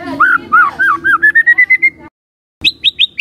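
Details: White-rumped shama song played as a lure to provoke other shamas: slurred looping whistles speeding into a rising series of short notes over a low drone, then high clipped whistles after a pause.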